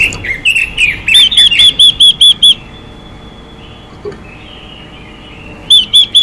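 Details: A female Chinese hwamei's xùy call, given to spur males into song, opens with jumbled twittering, settles into a quick row of pure arched whistles, falls silent, then resumes the whistling at the end.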